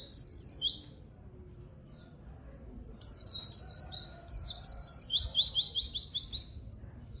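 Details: Lively white-eye (pleci) singing, for luring and tutoring quiet birds: a short high twittering burst, a pause, then longer rapid warbling phrases finishing with a fast run of repeated downward-slurred notes.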